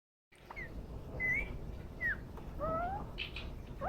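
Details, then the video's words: A pet green rose-ringed parakeet (ringneck) enjoying a head massage gives a string of soft, short whistled chirps, some rising and some falling, over a low rumble of indoor room noise. "ringneck making cute sounds"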